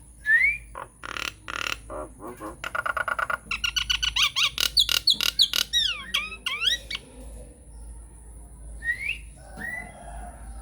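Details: Nias hill myna singing a lure song, unedited, used to prompt silent mynas to answer: rising whistles, a run of sharp rapid clicks and ticks, then looping up-and-down whistled phrases and two short rising whistles.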